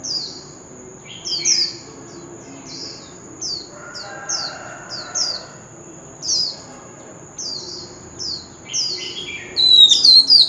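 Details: Oriental magpie-robin with a wild-type voice, singing a lure song used for contest training: short, high, down-slurred notes repeated at uneven intervals, with a steady thin high tone underneath and a busier burst of notes near the end.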